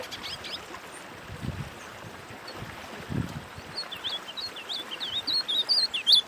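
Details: Wing-barred seedeater song offered as a warm-up for training birds: after a few seconds of hissing background, a quickening run of slurred, rising-and-falling whistled notes grows steadily louder toward the end.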